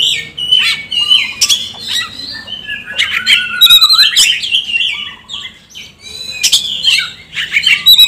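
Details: Kacer, or Oriental magpie-robin, lure song used to bring hesitant birds into song: a varied stream of whistles, harsh buzzes and chattering chips in fast bursts, with brief breaks between them.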